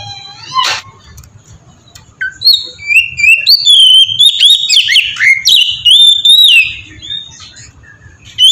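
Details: Lure song of an Oriental magpie-robin, ngeplong style, meant to prompt other magpie-robins to sing; scattered notes at first, then a loud burst of sweet whistles and quick slurred phrases midway, fading after.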